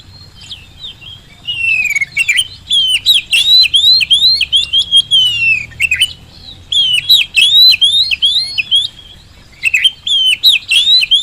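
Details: Oriental magpie-robin (kacer gacor) lure song for birds unwilling to sing. Three energetic bursts of varied slurred whistles with rattling clicks are separated by brief gaps, strong and clean over faint low background hum.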